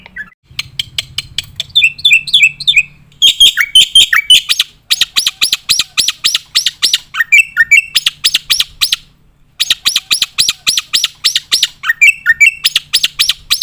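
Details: Black-winged myna song meant for training contest birds, opening with a low buzzy rattle, then bright whistles and long runs of sharp, evenly repeated notes, several per second, broken by short pauses.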